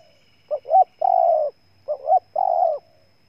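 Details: Spotted dove recorded in Ninh Thuận, Vietnam, giving two clear cooing phrases. In each, a pair of quick upswept notes leads into a sustained, slightly falling hoarse coo. The background is otherwise quiet.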